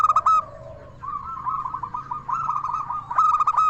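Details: Local zebra dove with a clear, crystal tone sung to lure and rouse other doves. Bright clipped coos open the clip, then a steady rolling, trilled cooing phrase builds into another loud ringing burst.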